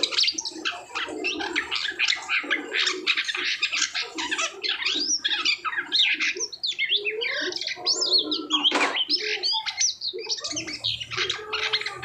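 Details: Post-moult Asian pied starling delivering a rich, unbroken medley of rapid whistled slurs, squeaky rising notes and scratchy squawks, with a sharp loud note midway.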